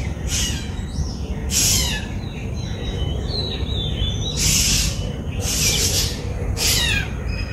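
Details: White-bellied drongo in Sri Lanka, recorded with a Nikon COOLPIX P1000: harsh broadband bursts with quick descending notes, spaced about one to two seconds apart, over faint whistled tones and a steady low rumble of background noise.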